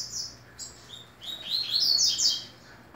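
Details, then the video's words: Double-collared seedeater, or coleiro, singing at the final ACPB tournament of the 2018 season: short high notes, a pause, then a rising run of bright slurred whistles peaking near the end, over faint room hum. "Ultimo torneio coleiro 2018."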